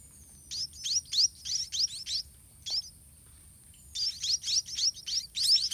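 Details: White-rumped munia chicks begging in the nest as a parent regurgitates food to them; rapid, high, rising squeaky chirps come in two dense bursts, broken by a quiet pause with one lone chirp near the middle.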